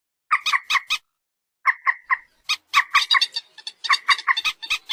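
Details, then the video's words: Common moorhen (peruk, tiung) producing clusters of quick, harsh nasal notes that grow into a busy, chattering series, recorded on a phone with some extra background noise. "suara burung PERUK/ MANDAR/ TIUNG"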